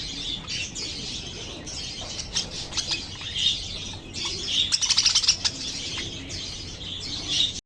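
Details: Chattering lovebirds produce a busy stream of piercing high chirps and rapid twittering, rising in intensity in the middle with clusters of quick sharp notes.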